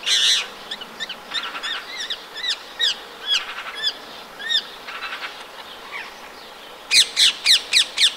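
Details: Rose-ringed parakeets in town at Empuriabrava, Catalonia, in winter, 26 January: harsh, high screeching calls repeated in quick bursts, ending with a fast series of five loud shrieks; other bird voices faintly behind.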